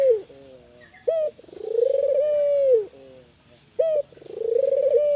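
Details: Spotted dove from Kelantan, used to stimulate other spotted doves to call: a short sharp note followed by a long rolling coo that swells and wavers before falling away, then a soft lower trailing tone; repeated twice.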